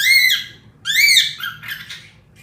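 Pet cockatiels give two loud, arched whistled squawks, followed by a brief burst of softer, scratchy chatter.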